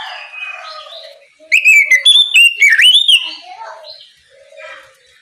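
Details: Oriental magpie-robin in the morning, singing loudly to prompt other magpie-robins to sing: a short, bright run of fast whistled slurs and crisp clicks lasting under two seconds, framed by softer background warbling.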